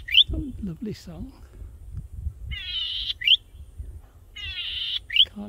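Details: Male Golden-headed Cisticola in breeding plumage, perched high on a tall grass stalk, singing vigorously to attract a mate: a high, rasping buzz then a sharp rising 'lik' note about every two seconds; no responses heard; brief male speech, low building noise.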